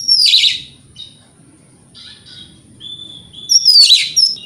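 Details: Morning song of an Oriental magpie-robin, played to provoke rivals into replying. Two harsh, dense scratchy bursts frame the passage, with a soft, thin whistled note in between.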